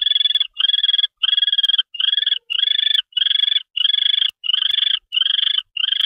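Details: Barn owl calling around a mouse delivery at a nest, late evening of 25 February 2013. Harsh, rasping screeches repeat quickly, about one and a half per second, each a buzzy hoarse burst with short gaps between.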